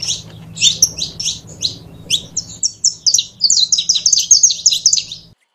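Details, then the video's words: Saffron finch singing a fast series of sharp, high chirped notes in short clusters, quickening into a dense run near the end, over a low steady hum. "CANARIO DA TERRA"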